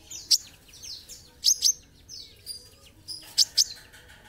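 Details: Olive-backed sunbird (kolibri ninja) singing: thin, high downward-sweeping slurs alternating with pairs of sharp, piercing chips, phrases spaced roughly a second apart.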